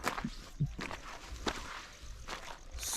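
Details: Footsteps crunch over dry ground with a few soft swishes of brush, and no animal voice is heard.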